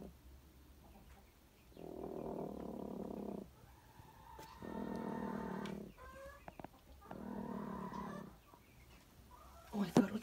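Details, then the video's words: Growling hen fighting over cage space where an egg was laid for brooding; three harsh, buzzy growl bursts of about one and a half seconds each, a short squawk between them, then a clatter. "Куры умеют рычать Interesting fact Chickens growl like dogs"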